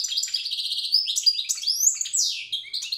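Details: European goldfinch, a wild bird from Tiaret, delivering old-style song: a continuous run of quick liquid twitters, with clear rising and falling whistled slurs and buzzy fragments throughout.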